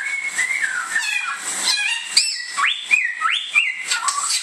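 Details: Indonesian samyong, or bare-throated whistler, opening with drawn-out level whistles, then sharp upward-sweeping whistled phrases repeated three times, over faint high chirps and a constant hiss.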